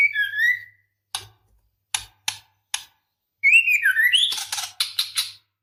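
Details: A female white-rumped shama in breeding condition calls the male: a falling whistle, a series of dry clicks, then a wavering whistle running into quick high twittering and more clicks.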